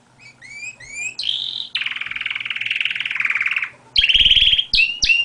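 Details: Canary song: short rising whistled notes, then a high buzzy phrase, a long rapid rolling trill, and bright quick trilled phrases to close, varied and continuous.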